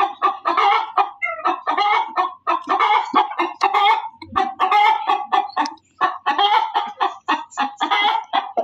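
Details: Insistent hen cackling: strident, nasal clucks delivered almost continuously, one drawn-out cry near the start, and a brief pause around the midpoint before the rapid series resumes.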